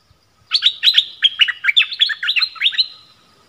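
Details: Streak-eared bulbul kept as a decoy for trapping wild birds, January 2021: one continuous three-second run of cheerful, bubbling chirped notes, delivered rapidly and evenly.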